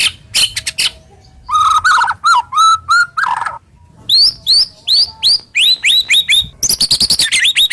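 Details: White-rumped shama giving full rough, sharp 'tembakan' song, used to coax silent shamas into song: scratchy notes, mid-pitched whistled slurs, then a run of high upward-flicked chirps and a buzzy finish.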